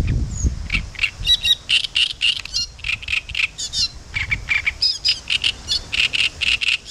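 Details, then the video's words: Great reed warbler (Acrocephalus arundinaceus) on the Southern Bug, Spasskaya spit, sings a fast, scratchy chatter of harsh, repeated notes in short bursts, with a faint low rumble of wind underneath. "Пение камышовки"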